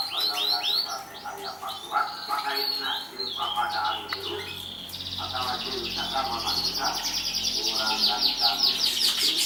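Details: Canary that won a 2014 competition, delivering fast rolling trills and repeated sharp downward-sweeping notes, shifting midway into a buzzy high rattle, with softer chattering and some background voices underneath.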